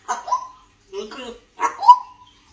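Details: Pet African grey parrot talking, saying "I love you" in a Malayalam-speaking home: three short speech-like phrases with a clear voiced tone near the middle, separated by brief pauses, recorded indoors.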